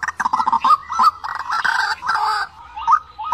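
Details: Lure recording of a white-breasted waterhen meant for trap loudspeakers: rapid croaking chatter with overlapping harsh notes, ending in two separate rising, hooked calls.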